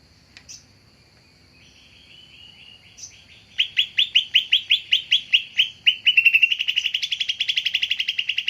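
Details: Greater green leafbird lure call meant to draw in birds: a series of sharp downslurred notes repeated about twice per second, accelerating into a dense buzzy rattling trill, with a steady faint high tone behind.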